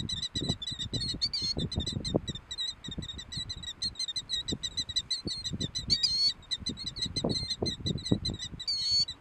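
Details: Killdeer at Cook's Beach on 12 April 2014: a run of shrill, high, piercing notes with a few sharper rising cries, over low buffeting wind.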